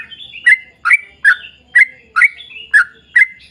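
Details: Rapid ropel song of a sooty-headed bulbul, played to draw other bulbuls into singing: seven sharp, slurred chirps in under four seconds, with thin whistled connecting notes.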